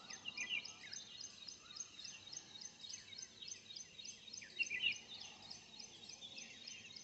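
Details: Indian Jungle Babblers in the morning keep up a dense, harsh chatter of squeaky, overlapping notes, several each second, with louder bursts near the start and end over steady background noise.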